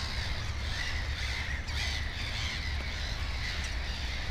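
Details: At a black-headed gull nest with two chicks, rough, squealing calls repeat almost without pause in a crowded chorus, backed by a steady low hum.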